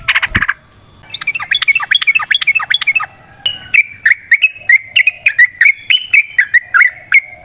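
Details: Yellow-vented Bulbul (trucukan), a lure recording of a lively bird in a natural setting: a sharp harsh burst, a short pause, then a quick chattering run of liquid notes that settles into steadier, repeated whistled phrases.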